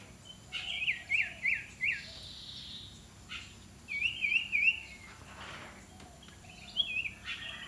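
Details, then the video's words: Iora trained to serve as a fierce decoy bird, giving quick runs of three or four zigzagging whistled notes, then pausing between bursts. The runs recur three times over several seconds against soft outdoor background noise. "นกขมิ้นน้อย ฝึกหัดหัยเปนนกต่อสายโหด สายดุ"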